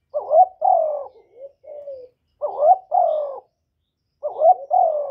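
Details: Spotted dove decoy bird calling and cooing to stir newly kept doves into calling, recorded clean without background noise. Three phrases, each a wavering note then a longer falling coo; after the first, two softer low coos trail off.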